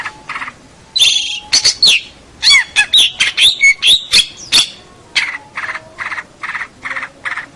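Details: Champion local long-tailed shrike, a master recording for training birds: harsh buzzy bursts and scratchy chattering notes in an uneven series, with a few clearer whistled notes in the middle, then evenly spaced rasping notes repeated about once a second.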